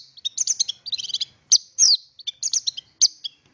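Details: Long-tailed shrike song played to set off other shrikes: quick clusters of high twittering notes broken by a few loud harsh squeaky calls, all bright and high-pitched.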